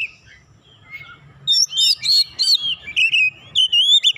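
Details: Oriental magpie-robin reacting to a rival: soft, distant-sounding notes at first, then a loud outburst of buzzy chatter and looping whistles for the last few seconds.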